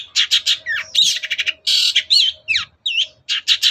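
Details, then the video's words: Morning song of a long-tailed shrike, meant to goad other birds into replying: harsh rasping bursts alternating with quick looping whistled notes and sharp downward slurs, delivered loudly in fast succession with brief pauses. "CENDET GACOR PAGI HARI BIKIN BURUNG APAPUN EMOSI NYAUT BUNYI"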